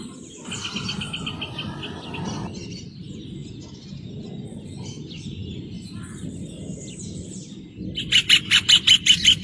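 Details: A rufous hornero sings a quick series of clipped notes early on, then after a quieter stretch with other birds calling, bursts into a loud, strongly pulsed run of ringing notes.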